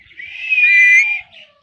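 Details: Pet parrot giving a single bright whistle lasting about a second, steady and slightly wavering, swelling then fading, followed by a faint lower trailing note; no other sounds.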